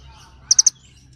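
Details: Little birds calling to one another: a quick burst of three sharp, high chirps in under a quarter second, followed by quiet with a faint low hum.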